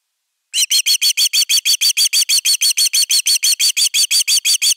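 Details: Nest-defending Osprey on a Finnish nest camera, 31 August 2021: after a moment of quiet, an unbroken run of about twenty-five sharp, high, piercing whistled notes rattles out evenly at about three per second.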